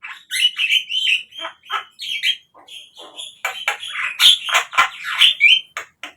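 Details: Javan myna song used as a lure for caged birds: quick, irregular chattering and rasping notes with occasional whistled upslurs, building into a dense burst before ending.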